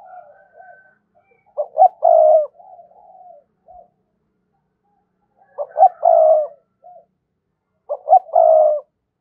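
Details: Spotted dove singing to draw in a rival: three low coo phrases roughly every three seconds, each two quick clipped notes and a drawn-out coo, followed by faint low murmuring.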